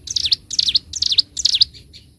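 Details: Bar-winged prinia singing gacor ngebren style for bird-training: four loud, high phrases in two seconds, each a fast pair of twisting chirps with a bright, piercing final note.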